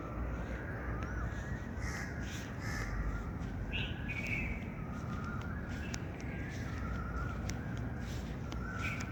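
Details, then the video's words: Birds giving repeated hoarse, harmonic calls, some sliding up and down, scattered through the clip over a constant low background rumble and occasional sharp taps. "birds chirping sound"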